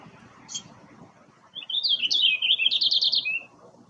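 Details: Male purple finch, one of a pair that recently arrived in a backyard in Quebec, delivering a loud, fast, bubbling warble lasting about two seconds that ends in a quick trill and a falling note.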